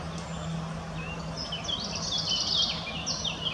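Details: Foraging female common chaffinch at Munich's Botanical Garden; soft high twitters and squeaky chirps cluster in the second half, with a steady low hum and environmental noise underneath.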